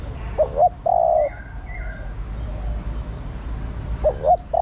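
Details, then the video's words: Female spotted dove calling to the male, cooing through the day. Short hooked coo notes are followed by a longer drawn-out coo, and the pattern starts again near the end. Faint higher whistles from other birds sound behind. "Cu gáy mái thúc trống + gọi trống cực nhay. chim cu gái mái kích bổi gáy cả ngày"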